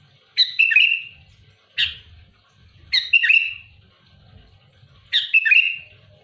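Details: Sooty-headed bulbul singing loudly and actively to challenge rival birds: short bubbly, liquid phrases falling into a slurred whistle, four bursts about every one and a half to two seconds, quiet room otherwise.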